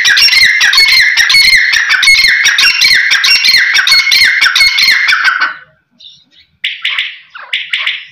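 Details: Quail giving a rapid run of harsh, squawky notes, about three per second for five seconds, then a brief pause and two shorter rasping bursts.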